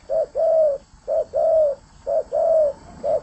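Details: Spotted dove in full song. Clear, mellow coos come in pairs: a short soft note, then a longer arched coo, repeated three times almost once a second over a quiet background.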